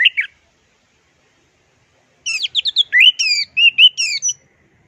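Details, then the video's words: Orange-headed thrush in 'teler' style song. A short note opens, then after a silence comes a rapid run of clear, warbling whistles that sweep up and down in tight phrases. "JUARA MASTERAN TELER ANIS MERAH PLONG DAN TELER!"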